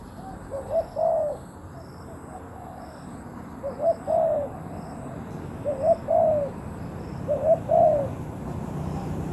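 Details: Cooing spotted dove acting as a lure for wild doves, four soft two-part phrases, a short lead-in note then a longer mellow coo, coming about every two seconds over a low rumbling background.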